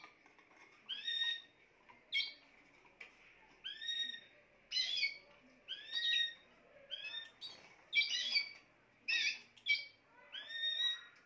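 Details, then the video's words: Extended song of a Spanish timbrado canary: a long series of ringing phrases mixing sustained whistled tones and buzzier chiming bursts, about one each second. "chant des oiseaux timbrado espagnol"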